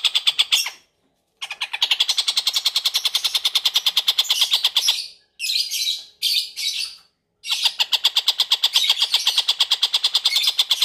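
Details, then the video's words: Long-tailed shrike singing loudly: harsh, grating, rapidly repeated notes in long runs, broken by a few short gaps, with rasping, buzzy chatter throughout. "TENGKEK BUTO Gacor"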